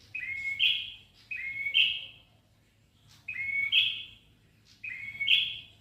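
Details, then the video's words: Ashy tailorbird in steady song, with four quick high chirped phrases, each a short slurred note ending in a bright emphatic chip, separated by brief pauses. "Prenjak Kepala Merah Gacor"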